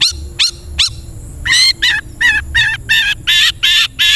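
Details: Long-tailed shrike training recording for caged birds: three sharp downslurred notes followed by a rapid series of loud harsh nasal squawks, about three per second.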